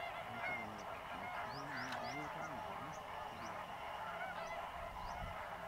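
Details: Migrant greater flamingo flock fishing in Mannar Island lagoons, Sri Lanka, during the December–March dry season; dense honking chatter with many overlapping nasal notes, some short upward-sweeping higher calls, and a low rumble near the end.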